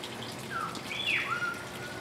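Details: A Bald eagle calling out at close range gives a few thin, high whistled notes that slide downward, ending in a steadier drawn-out tone, over a soft hiss.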